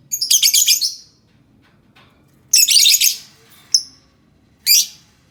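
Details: Lovebird chatter used to prompt silent, reluctant lovebirds into sound: dense bursts of shrill, rapid chirps in short volleys about two seconds apart, with a single sharp high whistle between them; otherwise quiet.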